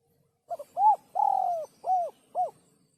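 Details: One sấm chuông style phrase from a spotted dove, used to stir males and females: a quick double note, an arched coo, a long sliding coo, then two more short arched coos.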